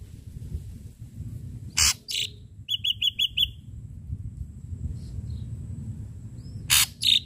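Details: Vocal ashy drongo giving sharp-note lure song: two harsh, scratchy bursts, then a quick run of four short clipped notes. After a quiet stretch come two more harsh bursts, with steady low rumble beneath.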